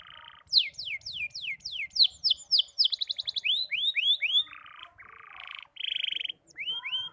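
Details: Young canary practising its song, still halting: a series of loud downward-sweeping whistles, then rising slurred notes and flat buzzy blocks, with short pauses between the sections.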